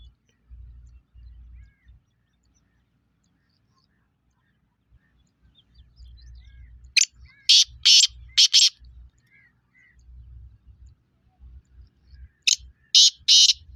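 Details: Black francolin on 23 February 2025 gives two bouts of harsh, rasping notes about five seconds apart. Each bout is a quick, loud, grating phrase of four or five notes, with low rumbling background noise between them.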